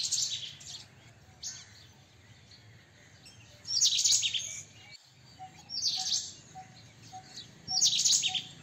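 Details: White-throated kingfisher calling: four harsh, rasping, high bursts about half a second to a second long, spaced roughly two seconds apart, with a low steady background hum between them.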